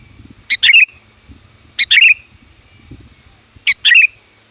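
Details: Varied, loud sooty-headed bulbul call meant to lure wild birds: three quick phrases, each a short piercing note and a cascading descending warble, about one per second and a half, over low muffled background noise.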